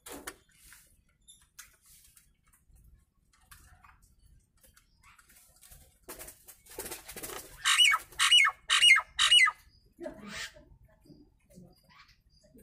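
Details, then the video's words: Nias hill myna, used as a master recording to draw replies from other mynas; a run of four loud, harsh, broadband notes with whistled overtones, repeated about every half second, amid quiet rustling and background noise. "Suara Asli Burung jalak nias"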